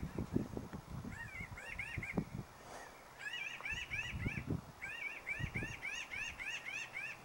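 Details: Pinyon jays near Salida, a flock calling in nasal, arching calls, several birds overlapping in quick bursts while one preens, with low thumping and rumbling noise underneath.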